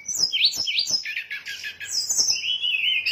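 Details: Sooty-headed bulbul lure song used to attract birds; rapid dipping whistled notes, stuttering chirps, then a long wavering whistle.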